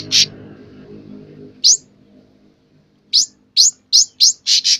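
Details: Sooty-headed bulbul singing in gacor style, persistently: a short buzzy note, then after a pause a quick run of high, rising chirps that speeds into dense harsh notes, over a low background hum early on.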